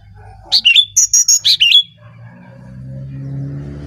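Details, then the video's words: Brown-chested jungle flycatcher from Bali, singing lively for use as a lure for other birds: a rapid series of about eight loud, high, sharp whistled notes with downward slurs, then quiet low rumbling background. "Burung Sikatan Rimba Dada Coklat Bali Gacor Nyuling Untuk Pancingan SRDC"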